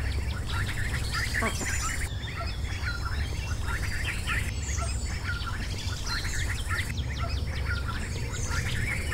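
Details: Mallard ducklings about 6 hours old, hatched overnight in a nest in a backyard banana bush, give a constant chorus of high, thin peeps, several at a time, over a steady low rumble.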